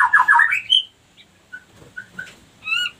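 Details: A female white-rumped shama, used as a lure to bring other females into breeding condition and crouching to mate, gives a burst of harsh, squawky chatter ending in a rising whistle, then short clear whistled notes about half a second apart.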